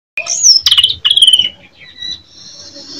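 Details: Greater green leafbird from Jember, Indonesia, singing in fighting mode: a sweeping high whistle falls away, then a rapid trilled burst and a buzzy descending phrase, fading into faint thin high notes.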